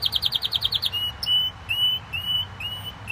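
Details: Pet canary song: a quick burst of rapid high trilled notes followed by slower, drawn-out whistled notes and short slurred phrases, over low background hum.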